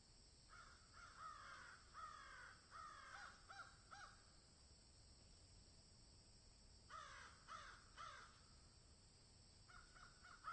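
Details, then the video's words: Crows in a field calling in two bouts of repeated raspy, downward-sloping caws, the second bout after a quiet stretch, with a final caw at the end; soft steady hiss throughout. "Crows Caw in Field"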